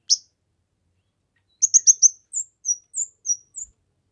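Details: A kemade singing actively, recorded for masteran training and bird luring. A lone sharp note, a pause, then four quick high chirps and a slower series of five separate whistled notes.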